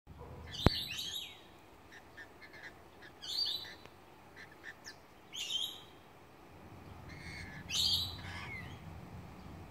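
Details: Lorikeets in a Jamaican cherry tree give harsh, shrill screeching bursts, four short volleys spaced about two seconds apart, over a low steady background rumble.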